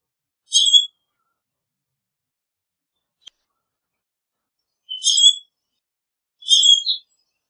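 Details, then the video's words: Three high, squeaky, metallic creaks from a common grackle, the first alone and the last two close together, separated by long silent gaps. "Common Grackle Song! Common Grackle call! Common Grackle - Zanate Norteño Canto - Quiscalus Quiscula"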